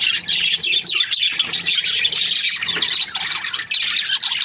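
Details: Budgerigars, Australian parrots kept as breeding pairs, fill the air with dense, overlapping chirps and squawks, a constant high chattering with short gaps, no single bird standing out.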